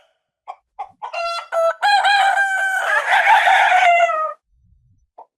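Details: Domestic rooster, whose crow announces the start of the day, gives a few short clucking notes that build into a long, loud, rough crow of about three seconds, holding steady before it stops abruptly.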